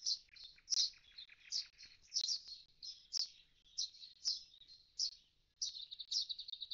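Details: Common starling near an empty nest box after its young have fledged, giving high, scratchy chirps and clicks roughly every half second and ending in a fast buzzy rattle; nothing else is audible.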